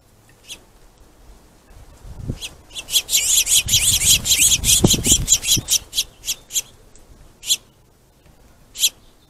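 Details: Aggressive finches battling over food make loud, harsh rasping notes in a rapid scratchy volley, stuttering at first, then thinning to spaced single rasps.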